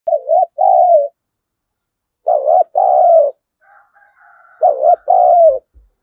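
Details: Spotted dove used as a lure bird to provoke wild doves into fighting, calling in low, mellow cooing phrases: a short wavering coo followed by a longer drawn coo, repeated three times about two seconds apart, with faint higher tones between.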